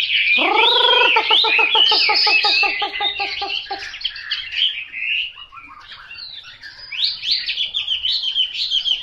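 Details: Chosen Chinese hwamei: opens with a run of loud, rich repeated whistled notes, about a dozen evenly spaced, overlaid on high chatter, then shifts to quieter rapid high twittering and sharp rising notes.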